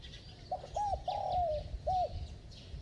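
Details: A single bell-toned phrase from a spotted dove: two quick coos, a long wavering coo that drops in pitch, then one short arched coo. Used for fast cooing to rouse decoy birds. Light high chirps behind it.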